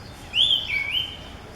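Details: Orange-headed thrush, a migrant that comes to South Gujarat's forests to nest, singing at the peak of summer. It gives one clear, sweet whistled phrase that rises and then slurs down into a long falling note, against quiet forest background.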